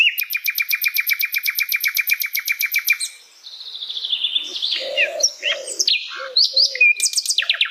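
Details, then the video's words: Wild Asian brown flycatcher in natural habitat: a fast, even rattling trill of sharp high notes for three seconds, then a jumble of squeaky whistles and chirps, with soft low cooing notes in the background. "MASTERAN SIKATAN LONDO, VIDEO DI HABITAT ASLI"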